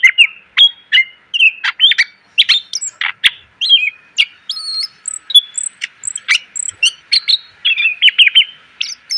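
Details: Full, richly varied song of a caged greater green leafbird, meant for tutoring other cage birds: steady stream of sharp chips, twittering phrases and high thin whistles over nine seconds.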